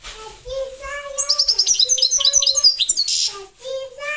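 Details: Goldfinch of the parva race in a dense, high twittering phrase of about two seconds. Steady, low, pure whistled tones sound before and after it.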